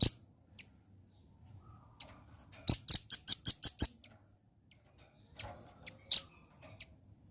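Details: Velvet-fronted nuthatch, played as a lure to draw a bird into responding: a quick burst of about seven sharp, very high chipping notes in just over a second, framed by scattered single high chips.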